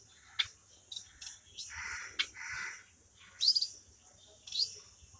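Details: Singing hybrid between a society finch and a long-tailed finch. Scattered high chirps lead into two rasping buzzy phrases, then a pair of bright, high whistled notes.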